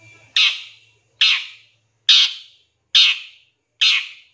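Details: Long-tailed shrike giving 'shot' fill for a lure recording: five evenly spaced, rasping, broad-band calls, a little less than a second apart.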